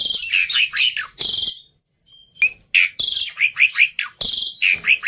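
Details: Black-winged myna, an agitated fighter bird kept as a tutor for silent mynas, gives harsh, buzzy chattering bursts with rising squeaks, broken by a short pause, then more rapid scratchy notes.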